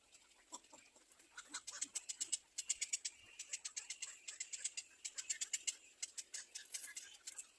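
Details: At a nest where black-crowned birds tend their young, a rapid stream of thin, high, squeaky chips, many overlapping, several each second with no steady rhythm.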